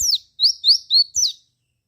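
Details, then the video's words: Javan white-eye song used to make other white-eyes respond: a quick phrase of one downward slur, three rising whistled notes, and a final sharp falling chirp, all high-pitched. "KICAU PLECI GACOR RAJA PIKAT INI,JAGONYA BIKIN PLECI LAIN NYAUT GACOR BUKPAR."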